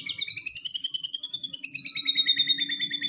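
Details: White-rumped shama in aggressive song meant to trigger a response, giving a fast, even high trill that rises slightly and then steps lower, over a faint background hum.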